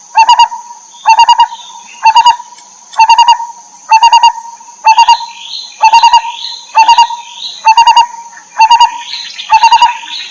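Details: Lineated barbet in the wild, feeding chicks: a fast, even sequence of pulsed triplets and quadruplets, nearly one per second, with soft rising squeals growing in the second half and a steady high tone.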